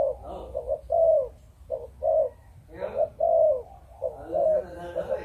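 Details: Breeding spotted dove of Malaysian type uttering repeated low coos, brief paired notes and longer drawn tones, with a burst of rustling noise and faint background sounds partway through.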